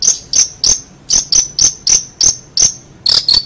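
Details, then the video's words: Long-tailed shrike (cendet) in a gacor masteran recording: a series of short sharp high notes repeated about three times per second, each a clipped ticking chip, steady and rhythmic with a quiet background. "Suara Burung Cendet | Gacor"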